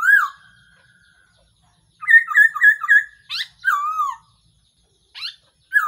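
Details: A decoy recording of a Black-throated laughingthrush, used to lure birds into traps. A falling whistle opens, then after a pause comes a quick run of stuttered notes and more slurred descending whistles.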